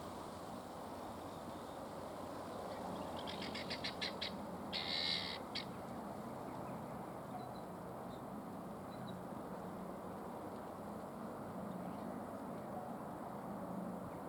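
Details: Helmeted guineafowl at Lakenheath, Suffolk, UK, on 30 September 2015 at 5:19 pm, making a funny noise: a brief burst of harsh, rapid, rattling pulses midway through, over a steady background hiss.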